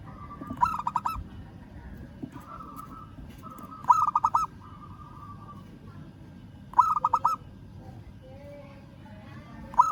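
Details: Local zebra dove calling a rival, giving four bursts of quick, bubbling coos spread over ten seconds. Faint steady tones and low rumble fill the gaps.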